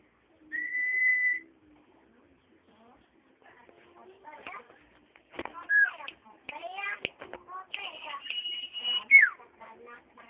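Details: Common iora singing: a short level whistle early on, then a higher drawn-out whistle that drops sharply at its end, with scattered clicks and faint tapping sounds in between.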